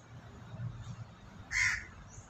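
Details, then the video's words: Single raucous crow caw, short and harsh, rising out of soft low background rumble as a flock of white pigeons forages nearby. "Suara Gagak"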